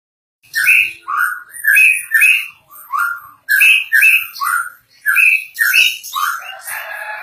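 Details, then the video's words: White-rumped shama in energetic 'gacor' singing: a rapid run of loud, short, slurred notes, mostly rough and rasping, repeated in quick bursts about every half second, with a few brief gaps and no other clear sounds. "Suara burung murai batu gacor"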